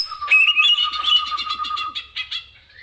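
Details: Caged greater green leafbird, song used for tutoring other birds, giving a steady low whistle under a rapid buzzy chattering series of repeated notes that fades out.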